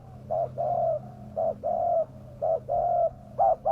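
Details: Spotted dove giving lure coos for wild doves, a repeated pattern of clipped short notes and longer hollow ones, roughly once a second, over low background hum.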